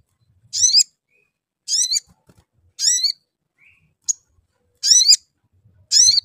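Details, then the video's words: Sooty-headed bulbul lure calls to encourage singing: harsh, rasping notes sweeping upward, repeated about once a second, with one brief high tick in between. "Cuit Cuit. Crecet. PANCINGAN AMPUH SOGON AGAR BUNYI"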